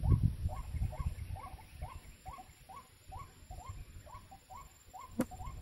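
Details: Ruak-ruak (white-breasted waterhen) at a bird-trapping site, giving a long series of short curved notes roughly every third of a second, with a low rumble underneath and one sharp click near the end.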